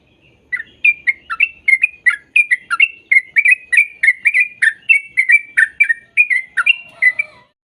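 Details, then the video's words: Sooty-headed bulbul song, used for training young untrained birds to start singing: a fast, steady run of short bubbly whistled notes, about three per second, alternating slightly rising and falling, with no other sounds. "Putarkan Suara Trucuk Ini Biar Trucuk Bahan Cepat Bunyi"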